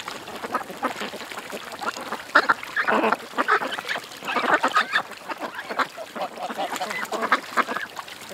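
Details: Ducks at a creek, many birds calling together: dense overlapping nasal quacks and chatter in bursts, louder clusters around the middle, with steady background hiss.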